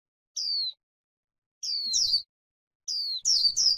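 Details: Grassland white-eye in a recording meant to excite birds into líu singing: three high slurred whistles spaced over a second apart, the later ones breaking into brief jumbled twittering.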